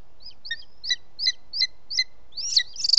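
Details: Booted eagle male arriving with prey at dusk, 18 June 2017, Ports Natural Park; six clipped high piping notes at steady intervals, then a louder, rapid excited chatter at the close.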